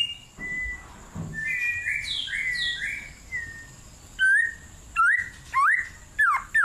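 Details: White-rumped shama singing vigorously in a cool forest: a run of varied clear whistled phrases, then loud, sharply rising and falling slurred whistles repeated about every half second toward the end.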